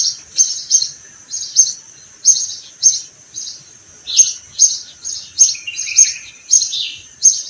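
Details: High, clipped sparrow chirps repeated rapidly in spring, near orange trees in bloom, about two a second, occasionally joined by a lower, rougher note, with a steady faint high-pitched whine underneath.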